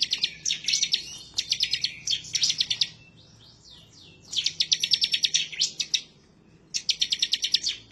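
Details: Bar-winged prinia in lively, emotional song, apparently seeking a rival: four fast bursts of piercing high chirps, each about a second long, separated by short pauses.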